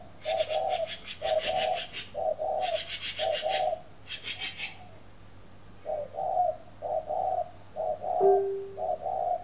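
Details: Morning cooing of a spotted dove kept at a bird garden in Ba Vì district, Hanoi, Vietnam: a steady run of low, mellow two-part coos, broken by loud rhythmic rasping, scraping bursts.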